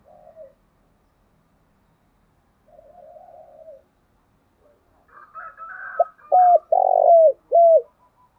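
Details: Morning cooing of a spotted dove in the 'thổ đặc' thick-voiced style. Soft, distant coos come first, then a brief higher chatter. The phrase ends loud and close: a pickup note, then three deep coos with the middle one long.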